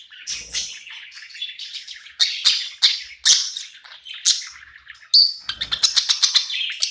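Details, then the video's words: Pet budgie singing and chirping at night in a new home; busy scratchy chatter broken by loud harsh squawky notes, then a clear whistled note followed by rapid ticking chirps. "Cute budgie night happy in new home singing and chirping sounds"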